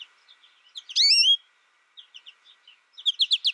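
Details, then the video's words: An isolation-raised American goldfinch, taught only by a recording, sings soft scattered twitters, then a loud sweeping wavy note about a third of a second long, and ends with a rapid run of four sharp chirps. "My American Goldfinch sings a tutor calling birds, goldfinch excitation to sing,goldfinch chirping"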